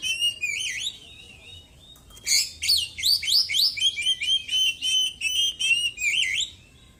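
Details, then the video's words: Caged white-breasted Oriental magpie-robin singing after its moult, full of mimicked small-bird notes: a softer warbled opening, then a loud run of quick, repeated upslurred whistles about three per second, ending in twittering. "KACER GACOR ISIAN BURUNG KECIL PEDES"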